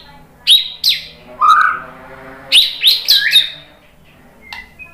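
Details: White-rumped shama answering a lure recording with short sharp whistled notes and buzzy rising phrases in two bursts, separated by quiet pauses.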